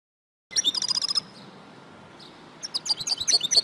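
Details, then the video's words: Female European goldfinch calls used to stir males into singing: a rapid series of high chirps, a pause with steady background hiss and a faint hum, then another quick burst of bright twittering notes. "DİŞİ SAKA KUŞU SESİ İLE HUYLANDIRMA - صوت طائر الحسون الإناث"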